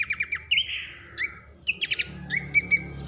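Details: Brief pelanduk semak (Horsfield's babbler) masteran phrase in loud 'nembak nyiul' style: quick clicking notes, a drawn-out sliding whistle, then another rattle burst and two flat whistles, over a low background hum.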